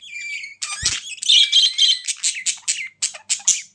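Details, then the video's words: Budgerigar calls: a descending whistled note, then a fast string of loud, high, scratchy chirps and squawky warbles, repeated roughly four times a second. "Budgies Sounds for lonely birds to make them Glad"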